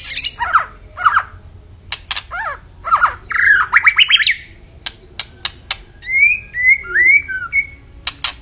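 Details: White-rumped shama in lively song: harsh descending squawky notes, a rapid rising series of whistles, then clear short whistled phrases, mixed with sharp clicks.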